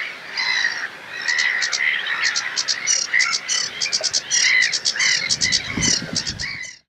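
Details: Sedge warbler in full song in a reed bed on a wetland reserve at Castle Espie: a continuous, fast, chattering jumble of harsh buzzy notes mixed with sharp repeated high ticks and scratchy trills, running without pause for nearly seven seconds.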